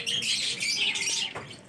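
Budgerigars give harsh, scratchy squawks and rapid chatter, an angry defensive outburst over their young.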